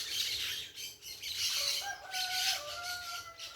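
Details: Parakeets heard outdoors: high, raspy flock squawks in pulses, while a clearer tonal whistle-like call with level steps runs underneath in the second half.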